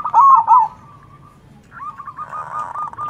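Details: Zebra dove in full manggung song answering local zebra doves: a loud burst of warbling coos, a brief pause, then a second dove replying with a quicker, softer rolling series.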